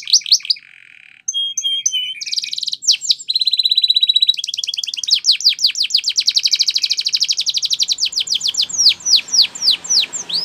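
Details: Varied training song of a Spanish Timbrado canary: low buzzy trill, paired clear whistles, a long fast rattling trill, and finally a run of loud downswept notes.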